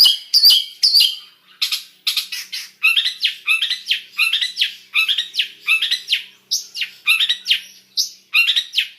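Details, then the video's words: Mixed, varied song of a long-tailed shrike: a rapid, continuous string of scratchy, chattering notes and sharp downslurred whistles, delivered in quick bursts of two or three, loud and dense throughout. "Suara Cendet Campuran Isian Full"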